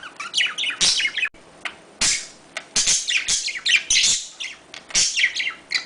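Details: Budgerigar mating sounds meant to stimulate breeding: busy, scratchy chatter of fast chirps and squeaky notes, punctuated by loud broadband clicks and harsh rasps, with brief pauses between bursts.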